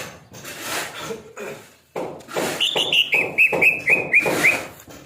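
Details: Greater green leafbird, called cucak ijo and said to be OB or over-aroused, delivering a run of about eight bright whistled notes slurring slightly downward, following a stretch of muffled rustling and knocking noise.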